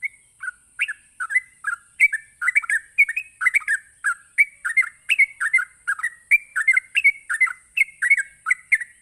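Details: Rapid 'ropelan' song of a sooty-headed bulbul, played to lure other bulbuls into replying. Bright chirpy whistles come in a dense, nearly continuous stream of short rising and falling notes over a constant high-pitched hiss.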